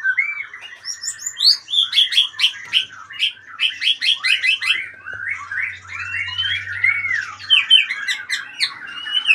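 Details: Retired champion magpie-robin pours out a dense, energetic song: quick chattering bursts and sharp upward sweeps blend into flowing whistled phrases, with a faint low hum in the background.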